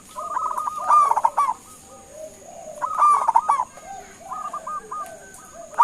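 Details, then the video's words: Calling local zebra dove, aimed at making other doves answer; dense runs of short soft coos swelling into brighter rolled notes, phrases about two seconds apart, plus faint fainter cooing between and steady high hiss. "Suara Panggilan Perkutut LOKAL Gacor sekali dengar langsung NYAUTIN"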